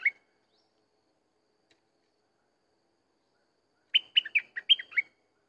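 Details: Sooty-headed bulbul: one brief note at the start, then a long pause. It is followed by a quick six-note phrase of clear, warbled whistles rising and falling in pitch.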